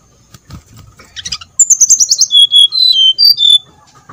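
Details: Lure song of a brown-chested jungle flycatcher to prompt singing: soft chattering notes, then a fast series of loud whistles dropping in pitch and settling into a few steady lower notes.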